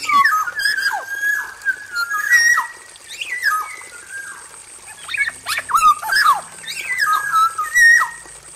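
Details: Male black-naped oriole in an aviary, singing a busy varied song: fluid whistled phrases around mid pitch, slurred rises and falls, interleaved with harsh squawks and buzzy notes; a steady high whine runs in the background.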